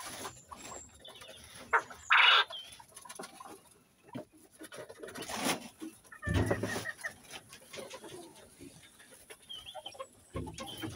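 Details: Male Coturnix quail, one of several kept males, newly started singing and still rusty, crowing to compete with other males and show off before females; a single loud, harsh burst near two seconds, amid soft scattered clicks, chirps and a low rumble.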